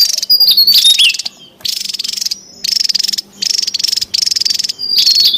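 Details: Wild Javan tesia calling noisily; dense buzzy rattles broken into bursts of about half a second to a second, with thin whistled slurs laid over the first bursts, and a faint steady low hum underneath.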